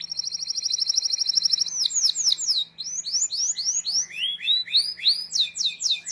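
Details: Young-canary training song from a canary: a steady fast trill held for nearly two seconds, then varied swooping slurred notes and rising chirps in rapid succession.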